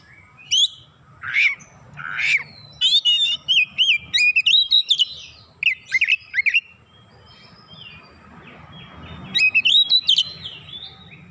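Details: Kacer singing persistently and showing off its repertoire: sharp rising whistles, then dense bursts of varied, rapidly modulated whistled phrases separated by short gaps, with a faint low rumble underneath.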